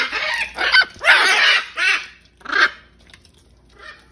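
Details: Wild macaws, hundreds together at feeding time, burst into rapid overlapping harsh squawks. The calls come in quick succession, then trail off into a few fading distant screeches.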